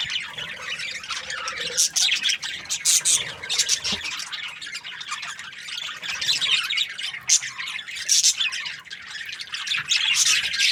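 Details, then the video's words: Many Australian budgies chirp at once, a bright, grating babble of squeaks and quick warbles that swells and fades in loose waves. "Australian budgies chirping sound"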